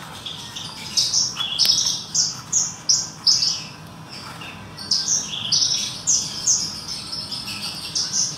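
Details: After a bath, a caged Horsfield's bush lark sings in the sun: a run of high, sharp chirped notes repeated about twice a second, a short pause near the middle, then more rapid chirps.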